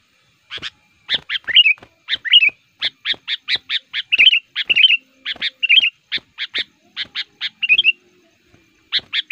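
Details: Sooty-headed bulbul, a lure bird for trapping wild males in the forest, calling energetically in steady bursts of sharp chirps, some ending in short warbled twists, repeated about every half second with brief pauses.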